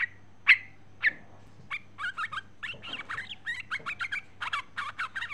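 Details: A female sooty-headed bulbul calls for the male. Two loud, sharp, clipped notes open, then a long run of short, chattering notes follows at an uneven pace, roughly two per second, over a low background hum.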